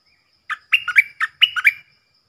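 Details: A decoy stripe-throated bulbul, whose song is played to young birds and to lure wild birds, gives one loud, rapid phrase of liquid warbled notes with short steady whistles.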